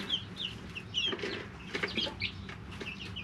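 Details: Three-week-old chicks living in a brooder give bright, short descending peeps, several birds calling at once, with pecking clicks and a low electrical hum beneath.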